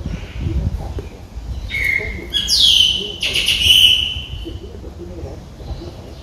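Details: Three-day-old Streak-eared Bulbul chicks begging in the nest, Ubon Ratchathani, Thailand, 5 April 2023: a short thin note, then loud, harsh, downward-sweeping calls in two or three overlapping bursts, over low background rumble.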